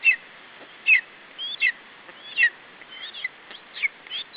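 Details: A lesser spotted eagle chick at an Estonian nest on 21 July 2012 defends its food against a parent. Shrill, slurred squeals and high chirps tumble out irregularly, a little over one per second.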